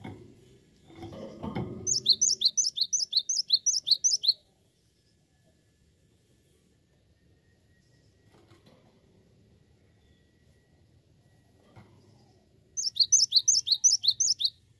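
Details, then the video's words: Cinereous tit delivering two bursts of rapid high paired notes, each burst about two seconds long and separated by several quiet seconds, with handling thumps at the start. "Awas Gelatik Batu anda Ikut Gacor"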